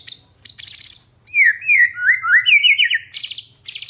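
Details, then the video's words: Vigorous white-rumped shama song used as a morning lure to rouse rival shamas: high buzzy trilled bursts alternating with a run of rising, slurred whistles, repeated quickly, with faint low hum beneath. "PANCINGAN MURAI BATU NGOTOT | MENDONGKRAK EMOSI LAWAN"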